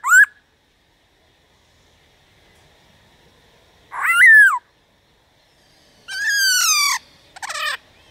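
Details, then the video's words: Sparse Black-throated laughingthrush song meant to stimulate other birds to sing: a brief whistle, a long pause, a slurred descending whistle, then a rough nasal note and a short harsh burst. "Khướu Hót DÉO BỔI - GỌI BỔI kích thích bổi hót/kích thích khướu bổi căng lửa"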